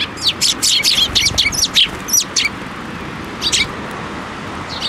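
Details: Sparrow coming to a hand for food at a Tenmangu shrine, May 7, 2024: a rapid run of sharp, irregular chirps during the first two seconds, then a few isolated chirps over a steady background hum.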